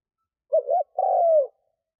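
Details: A single cooing phrase from a spotted dove used as a lure for wild doves: two brief hollow notes, a short pause, then a longer descending coo. There is no other sound.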